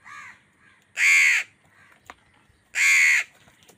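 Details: Angry crow caws during a fight with wild birds for food: two loud, harsh, drawn-out caws nearly two seconds apart, with fainter calls of other crows and a sharp click between them.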